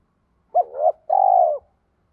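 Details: Spotted dove coo in the 'thúc' style, used to make newly caught doves respond. A short hoot rising into a softer swell, a brief gap, then a long even coo tapering down.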